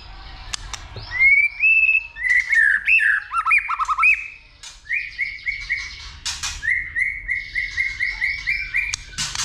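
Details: White-rumped shama singing its fighting song, roused by a female, flicking its tail and clicking repeatedly. Bright whistled slurs and squeaky warbling, then a long series of evenly repeated short upslurred whistles with sharp clicks between.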